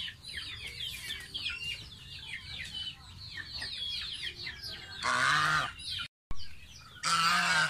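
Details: Pet baby domestic goose taking a bath: a dense chorus of high, overlapping chirping peeps runs for about five seconds, then two loud, harsh, nasal honks under a second each, split by a brief silent gap.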